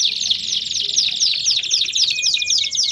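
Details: Canary song in the baderna style, meant to warm up other canaries: dense high trills of rapid repeated downward-sweeping notes, with a thin steady whistle entering near the end.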